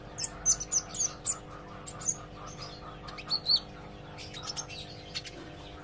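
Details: Olive-backed sunbird learning to sing. Thin, very high chirps and short sharp notes come in scattered bursts, with clicking sounds and a steady low hum in the background.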